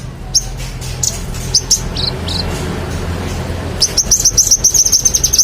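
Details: Vigorously singing magpie-robin, known locally as manggaran, recorded as tutor material for competition birds: scattered high whistled notes and short slurred phrases, then a fast burst of piercing repeated chips near the end, with faint low background hum.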